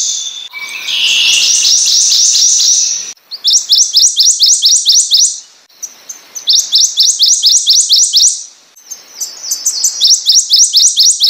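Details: Prothonotary warbler song: a hoarse opening, then four loud phrases of sharp rising whistled notes, each note repeated rapidly about five to seven times.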